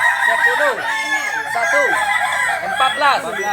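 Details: Several Kokok Balenggek roosters from Solok, West Sumatra, of the jalak and biriang types, crow over one another. Continuous bright harmonic crowing is layered with lower, arching, downward-sweeping notes throughout.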